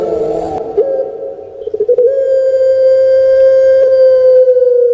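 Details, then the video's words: Puter pelung dove, a well-known Javanese cage bird, giving a rough gurgling lead-in with soft stutters, then a smooth sustained coo held for about three seconds and gently falling at the end. "PUTER PELUNG BERKWALITAS ( Suara Merdu Mengalun )"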